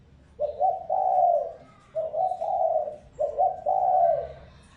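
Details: Spotted dove luring wild doves with three closely spaced phrases, each a short hiccuping double note followed by a longer smooth, soft coo, repeated about every one and a half seconds.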